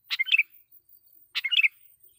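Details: Loud sooty-headed bulbul lure song meant to make wild birds agitated: two matching chirpy phrases, each a sharp opening note running into three quick bubbly whistles, a little over a second apart.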